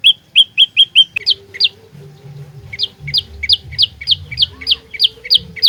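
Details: An olive-backed tailorbird, the fighter type used for lure trapping, starts with flat high chips, then switches to steeper, downward-slurred notes repeated quickly after a pause, over a low hum.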